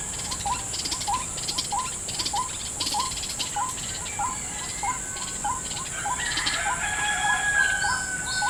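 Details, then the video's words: A white-breasted waterhen answers a trapper's lure in a salak plantation with a long run of short, clipped, hooked notes, nearly two per second. Loud insects buzz throughout, and other birds whistle later on. "mikat ruak ruak di kebun salak (jerat burung ruak ruak pikat)"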